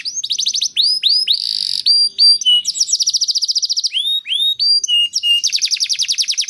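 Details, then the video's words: Captive canary song used to coax other canaries into singing: quick rising whistled notes, buzzy trills and fast rolling tours of repeated syllables, with short pauses between phrases. "Sekali Putar Kenari Lain Langsung Nyaut Bunyi Gacor || Voice of Canary"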